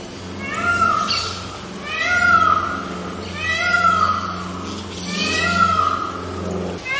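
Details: White peacock calling repeatedly: four loud, rich wailing cries spaced roughly every one and a half seconds, each sliding down at its close, over a steady low hum.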